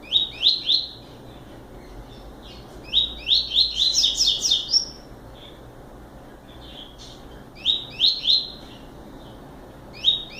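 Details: Double-collared seedeater repeating short songs: clusters of quick, bright, upward-sweeping notes, some phrases longer and buzzier, separated by brief silences over about ten seconds.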